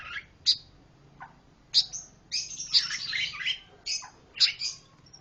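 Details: Pancawarna bird singing in a lively, contrasting style: sharp high chirps and short whistled notes, then a dense burst of mixed warbling phrases, with brief pauses between bursts.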